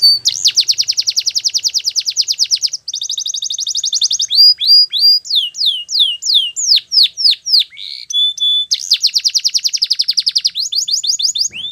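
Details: Powerful Belgian canary training song with long rapid rolled trills, a run of sweeping whistles and buzzy notes, a steady whistled tone, then more fast trills and slurred notes.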